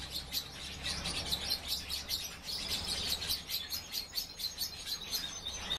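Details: European bee-eaters giving short rolling chirps, repeated several times a second in pulsing bursts, several birds calling together over a low background rumble.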